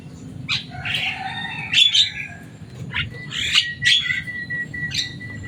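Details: Javan myna kept as a pet, loud and noisy in voice, utters a harsh grating squawk followed by bright whistles and sharp squeaky notes with pauses between them, over a steady low hum.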